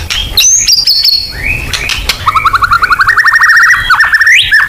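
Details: Murai batu (white-rumped shama) in full 'nembak' song as lure material: long whistled notes and a slurred upsweep, then a fast, even trill of repeated notes ending in a rising flourish.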